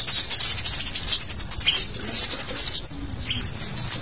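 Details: Scaly-breasted munias give a noisy flock chorus, a call used to lure wild munias: thin, high chirps overlap continuously, then a brief pause before more sharp, rising notes.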